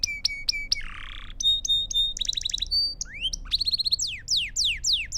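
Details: Belgian canary singing to train young birds and teach new songs: varied phrases of sharp chips, a brief buzzy rasp, fast repeated note rolls, and descending slurred whistles in a series.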